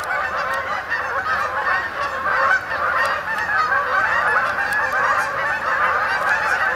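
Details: Canada geese arriving in an October evening to spend the night on a pond at Sapsucker Woods, Ithaca, New York; steady wall of overlapping honks from a large flock, rising slightly in loudness midway.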